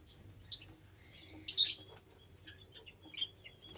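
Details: Lovebirds chattering with scattered thin, high chirps and one loud raspy squawk in the middle, over a steady low background hum.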